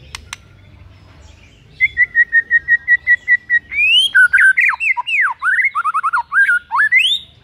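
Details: Morning song of a white-rumped shama, used to goad a rival shama: after a few quiet clicks, a steady series of even whistled notes gives way to a rich, varied burst of swooping and trilled phrases.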